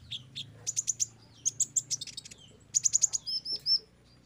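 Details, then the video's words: A sunbird, used as a therapy recording to get wild-caught sunbirds singing, gives high, thin bursts: quick runs of sharp repeated chips, then a fast twittering trill ending in short slurred notes, with a faint low hum beneath. "DENGAR KOLIBRI BONGKAR MATERI"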